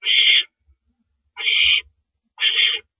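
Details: Night at an owl nest, 1:11 AM on April 6, 2012, during a rabbit delivery by the male. Three rasping, breathy screech bursts, each about half a second long, arrive at steady one-second intervals against a quiet background.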